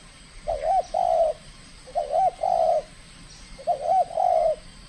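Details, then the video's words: Spotted dove (tekukur) in its first contest, from Kepri, calling aggressively: three repeated low coo phrases, each a quick bent note run into a longer even hoot, spaced under two seconds apart over faint background hiss. "TEKUKUR SI BINTANG PERDANA LAGA LANSUNG KELUARKAN SKIL NYA"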